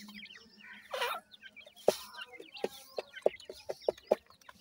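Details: Chicks of a francolin give soft overlapping peeps, then a run of regular knocking taps roughly every third of a second, under a faint low hum.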